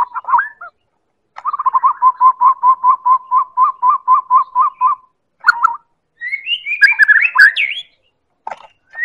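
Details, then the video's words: Medan-type white-rumped shama singing as a lure to make other birds sing: a steady string of about a dozen low, evenly repeated notes, then a brief pause and a rich, fast burst of rising and falling whistled phrases. "Real Pancingan Murai Batu Medan Super"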